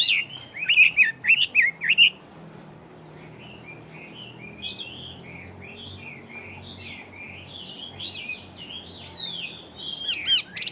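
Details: Fighting Chinese hwamei, large build, singing eagerly: an opening burst of loud, fast, looping whistles, then a long stretch of quieter warbled phrases, with loud notes returning near the end.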